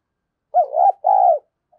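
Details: Lure spotted dove with the 'giọng đồng pha' voice, provoking fighting; a single phrase of a wavering, dipping coo followed by a long, steady, slightly falling hoot.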